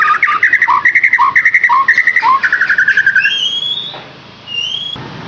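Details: Song of a white-rumped shama kept to prompt a caged bird to sing: quick repeated two-note chirps in a steady rhythm for about three seconds, followed by a few thin high whistles.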